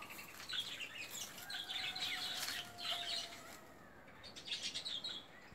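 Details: Newly hatched emu chick, zero days old, giving faint thin whistled peeps and one longer, slightly falling whistle, against steady rustling and scratchy high-pitched noise.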